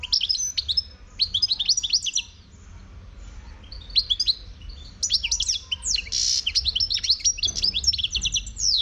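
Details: Wild Moroccan European goldfinch singing: rapid, liquid twittering of high tinkling notes and short rising slurs, delivered in dense bursts with brief pauses, growing fuller and nearly continuous in the second half over a low background hum.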